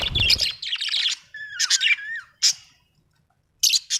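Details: Budgie, described as an Australian bird, giving a burst of raspy chatter, a clear wavering whistle, then isolated sharp chirps after a short silence.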